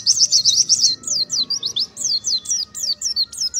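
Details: Oriental white-eye in ngalas song, a continuous run of quick high slurred notes, each dropping sharply in pitch, delivered about four per second.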